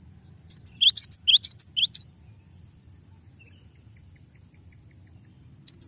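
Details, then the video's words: Cinereous tit delivering its long rolling song for songbird training: a fast series of bright rising whistled slurs and chips, about eight notes in under two seconds, followed by a quiet pause and a fresh start. A faint steady high hum is present. "suara glatik batu ngeroll panjang"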